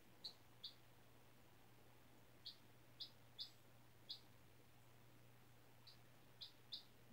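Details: A lone four-day-old chicken chick, hatched from a white egg as a class project, indoors on freshly changed bedding; sharp, high single peeps repeat irregularly, nine in about seven seconds, over a faint constant hum.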